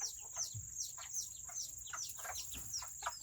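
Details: Tiny Serama chickens on a rainy day, calling in quick, sharp, falling peeps from several birds, irregularly spaced, over a constant thin high-pitched tone and soft background hiss.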